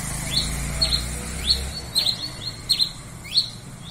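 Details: A red-crested finch, or tico-tico-rei-cinza, sings high, thin chirps that sweep up then drop, repeated at an uneven rapid pace, against a low hum.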